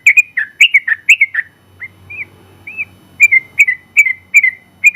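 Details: Champion yellow-vented bulbul, first in the general class, singing a long rapid 'ropel panjang' song used to tutor other birds: bright bubbly whistled notes in quick bursts, a quieter pause with a few soft notes midway, then lively phrases resume.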